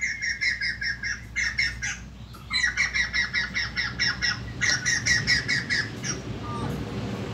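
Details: Loud laughing chorus of a white-crested laughingthrush after eating a house gecko: runs of rapid, harsh staccato notes broken by short pauses, fading at the end into a faint whistle and background rustle.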